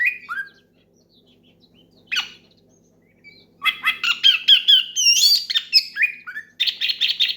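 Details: Oriental magpie-robin singing loudly in the ngeplong style to call a rival and get other magpie-robins singing. Scattered whistled notes open, then a dense burst of sharp, rising whistles and harsh chatter runs to the end. A faint steady hum sits underneath.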